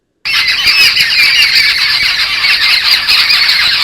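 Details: Resident flock of Jungle Babblers near a lodge in Satpura giving distress calls on seeing a person nearby. Harsh, continuous squawking chatter from several birds at once, grating and unbroken after a brief silence at the start.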